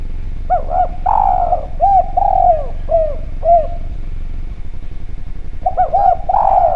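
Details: Clear-voiced spotted dove recorded to lure others into calling: a burst of quick doubled coos and a long slurred note, then spaced single coos, a short pause with faint low rumbling, and another quick rising sequence.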